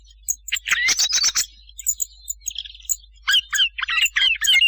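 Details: Thrush sound for luring birds during night hunting: a dense burst of harsh chattering notes, a pause with a faint buzzy trill, then a string of scratchy whistled notes.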